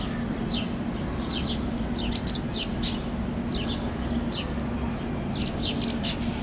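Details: A parent house sparrow feeds begging fledglings on a Helsinki lawn in June; the young give repeated high, sharp chirps in quick bursts while a constant low rumble of background noise fills the scene.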